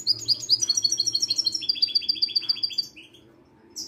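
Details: A caged Moroccan European goldfinch sings a fast, tinkling run of bright twittering notes for about three seconds, then falls quiet, over a low indoor hum.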